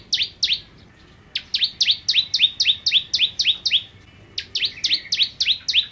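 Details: Bar-winged prinia song made of quick paired notes, each a high sharp tick sliding down into a lower slurred chip, repeated rapidly in three rhythmic bursts with short silences between.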